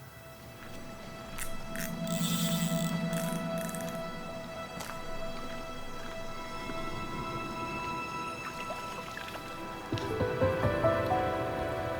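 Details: Background music with steady tones and low rumbling plays throughout, with no animal calls heard.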